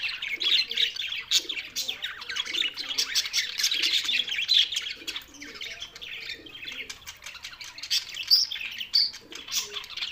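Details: On 7 June 2024, lonely budgerigars warble and chirp continuously, a mix of buzzy chatter and sharp tweets, slightly softer toward the end.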